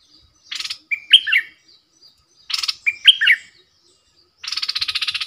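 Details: Bulbul kept as a decoy sings at wild birds: two rich, slurred whistled phrases each led by a rasp, then a rapid buzzy rattling chatter at the end.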